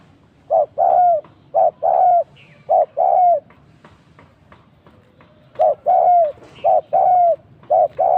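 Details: Spotted dove cooing as a trapping decoy, repeated two-note phrases, a clipped hoot then a drawn-out sinking coo, delivered in two bursts separated by a pause of about two seconds, with faint higher chirps from other birds.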